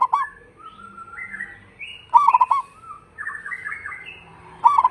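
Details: Local zebra dove with a powerful voice, used as a lure for other doves; repeated stuttering coos at the start, middle and end, overlapped by long drawn-out whistled notes from another bird rising in steps.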